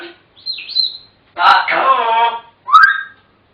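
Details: African grey parrots chattering: a short whistled rising note, then a harmonic-rich speech-like phrase of about a second, then a brief squawky call.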